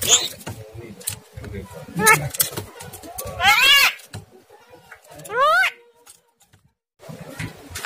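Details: Recorded starling sound used as a master to push a lazy caged starling to sing and bring out its fighter voice: scratchy chatter, then two loud rising harsh sweeps a couple of seconds apart, then a pause.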